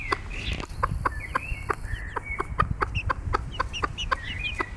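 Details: Bobtail-coloured Pekin bantam hen leading her chicks: a rapid run of short, clipped clucks about four a second, with high, sliding chick cheeps woven through and a faint low rumble beneath.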